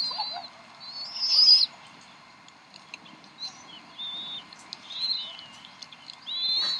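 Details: Bald eagles at the Decorah nest in the evening, around 7:50 pm, while the mother feeds three eaglets. High, thin whistled calls with slurred rising and falling notes: one long drawn call early, then several shorter ones, over faint background hiss.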